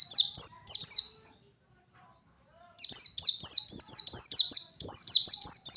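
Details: Pleci (white-eye) singing in forest style as a fighter bird, used to provoke rivals: a short burst of high, rapid, downslurred chirps, a pause, then a longer run of about ten quick high twittering notes.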